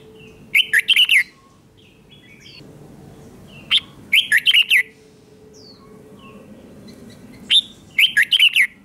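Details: Red-whiskered bulbul in a cage giving doubled song phrases meant for young birds to imitate. Three bright bursts of rapid whistled notes are spaced roughly three seconds apart, with soft higher chirps between them.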